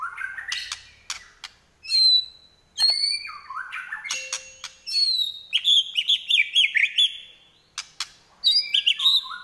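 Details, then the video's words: White-rumped shama singing in fighting mode, trotol style: varied loud whistles, sliding notes and fast runs of chopped high notes, delivered in rapid bursts with short gaps and occasional clicks. "Murai Lepas Trotol Tarung"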